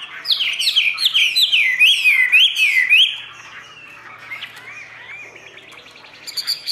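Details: Caged Chinese hwamei delivering about three seconds of rapid, loud, varied whistles and slurred notes, each rising and falling quickly, then dropping to quieter, softer twittering phrases with a brief burst at the end.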